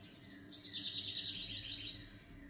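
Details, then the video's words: A single bird phrase: a rapid, high-pitched rattling trill held steadily for over a second, swelling then fading, against a quiet low rumble. "SONIDOS DE PÁJAROS RELAJANTES"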